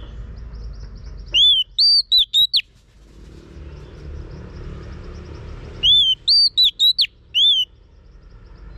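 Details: A female Oriental magpie-robin sings to stir a male. She gives two bursts of five or six loud, arched whistles, about four seconds apart, with quiet low rumble between them.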